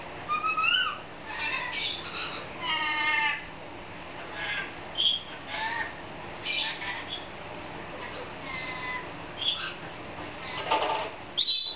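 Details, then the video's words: Pet lorikeet playing excitedly after discovering a new playground, giving a laughing series of harmonic squawks, rising whistles and short chattering bursts, repeated in irregular clusters throughout with brief pauses between them. "Laughing Lorikeet"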